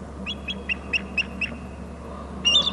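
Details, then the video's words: Two eagles calling at their nest territory on Hornby Island, one perched and a second arriving on a short branch, recorded by a nest camera: a string of thin, high chittering notes about a quarter second apart, then a louder burst. "eagle on bst and 2nd eagle in to short left branch, both are calling"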